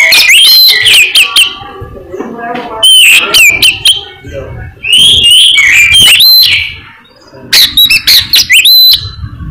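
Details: Albino Oriental magpie-robin in vigorous song, repeating loud phrases of fast, bright whistled sweeps and slurred notes with crisp clicks, separated by brief quieter gaps, the phrases recurring roughly every two to three seconds.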